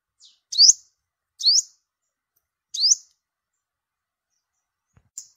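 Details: Olive-backed sunbird, yellow-bellied, recorded as bait audio for migration-season trapping: three shrill upward-slurred chirps about a second apart, a pause, then one short high note, against a silent background.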